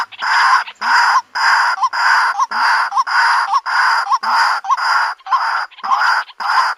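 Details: Female white-breasted waterhen seeking a mate, recorded for use as a lure: loud harsh croaks in a regular sequence, each ending with a small upward hooked note.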